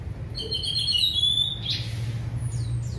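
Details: Orange-headed thrush in relaxed, clear 'gembling ngeplong' song, used to coax birds that have stopped singing. It gives long high whistled strands, then a sharp upward flick and faint high slurs over a steady low hum.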